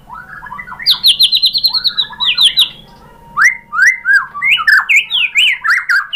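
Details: White-rumped shama (murai batu) song meant to provoke other shamas into singing: rapid chattering series of high whistled notes, a short pause, then loud, well-spaced rising whistles and warbled phrases.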